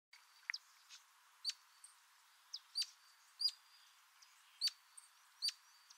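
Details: Giant hummingbird (Patagona gigas) calls: sharp, high, slurred chip notes, about six in six seconds at an uneven pace, over a faint steady hiss.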